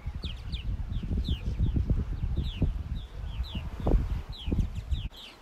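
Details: A flock of purple martins on migration at Mann's Harbor, Outer Banks, North Carolina, on 27 July 2019 gives many quick, downslurred, overlapping chirps, several each second, over heavy low wind or engine rumble.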